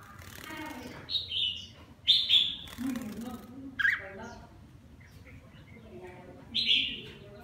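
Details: Red-whiskered bulbul, partial cheek patch, lân crest, singing while it bathes; a string of loud whistled notes and slurred phrases in quick succession, with some lower chattering sounds in between.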